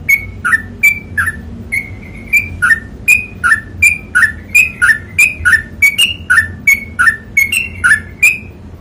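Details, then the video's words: Long unbroken 'ropel panjang' song of a sooty-headed bulbul for tutoring: crisp whistled notes alternate high and low in a steady run of about three per second for nine seconds, with a soft low hum behind. "TRUCUKAN ROPEL PANJANG"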